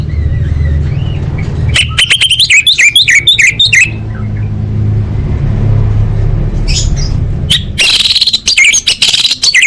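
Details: Orange-headed thrush master song, full isian, for contest training: a fast two-second volley of sharp, bouncing high notes, then a quieter pause and a final harsh, noisy burst of mixed phrases, all over a persistent low drone.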